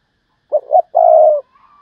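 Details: Single 'thúc bổi' phrase from a decoy spotted dove: two short low notes then a long steady coo, trailed by a faint higher tone.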